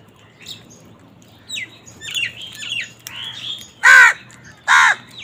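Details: Crows squabbling over food. Faint scattered squawks and chatter lead into two loud, hoarse caws close together near the end.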